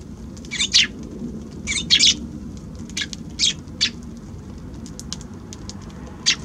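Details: Tree sparrows coming to a balcony on January 6 give scattered sharp chirps, some doubled, spaced irregularly over several seconds, with a few softer distant notes and low background hum.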